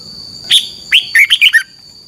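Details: Caged red-whiskered bulbul from Thailand singing a short phrase for song training: one clear whistled note, then a quick run of five bright, warbling notes that fall slightly at the end. A steady high tone hums in the background.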